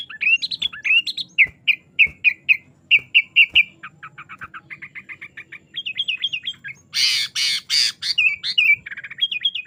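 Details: Sooty-headed bulbul in energetic 'isian' song for training caged birds: varied whistles, then evenly spaced clipped chirps and a fast chatter, interrupted by a harsh broadband burst before whistling resumes.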